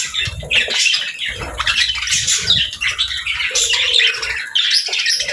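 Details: A budgerigar chorus of happy pet birds: bright, raspy chirps and warbling phrases tumble over one another, broken by a short steady tone and faint low knocks.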